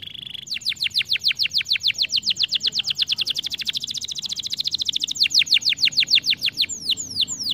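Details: Canary stimulating song, a recording that a canary is said to imitate at once on hearing it: fast runs of high, repeated downward-swept whistled notes, about three per second, steady rolling tours with a brief higher flourish near the end.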